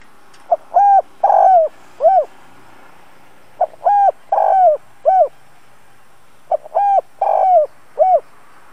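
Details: Caged spotted dove used as a decoy to stir wild doves, repeating its low mellow phrase of four hoots three times, about every three seconds, with quiet pauses between phrases.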